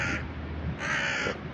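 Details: Urban crow defending a found piece of food in a noisy city. Two harsh, raspy caws, each about half a second long, sound over a low hum of city traffic.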